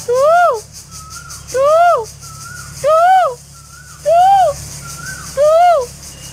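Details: A cuckoo calling at a home, possibly an Asian cuckoo, repeats a loud, hollow note that rises and falls roughly every 1.2 seconds, with fainter higher notes between, over a low background hum.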